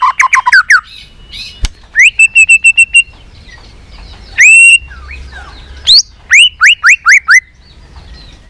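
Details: White-rumped shama singing a multi-voiced song used to stimulate and train other shamas; loud whistled notes swooping up and down, short bursts of rapid repeated notes, and sharp clicks between phrases.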